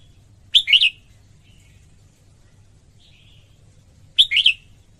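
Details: Female red-whiskered bulbul singing to stimulate males: two short, bright warbled phrases of quick rising and falling notes, about three and a half seconds apart, with faint chirps between and a low hum beneath.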